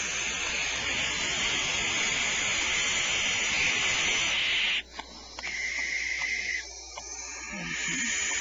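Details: Five owlets in a nest cavity hiss at a caretaker checking on them during evening supplementary feeding; a long, harsh, airy hiss holds steady, breaks off briefly near the middle amid rustling, then resumes.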